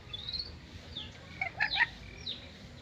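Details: Black-capped lory bred in captivity in Indonesia, a talking bird known for many words. A thin rising whistle opens, then a few sharp chirps and squeaky notes bunch together midway, over low background hum.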